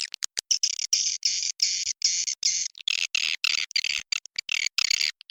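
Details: Swiftlet lure call named Raja Liur, recorded in a successful swiftlet house: high, harsh buzzing bursts about half a second long, repeated in a steady pulse, then a looser run of twittering chirps.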